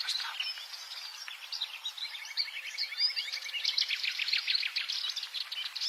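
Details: Subalpine warbler song: a fast, scratchy, high warble of chattering notes with a steady run of short, evenly repeated ticks through the middle, sung continuously with no other sounds.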